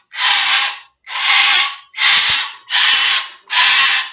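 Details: A rescued Moluccan cockatoo in sanctuary gives five harsh, broadband, ear-splitting "murder bird" screeches, each about half a second long, repeated roughly every 0.8 seconds; its screech has been measured at 126 decibels.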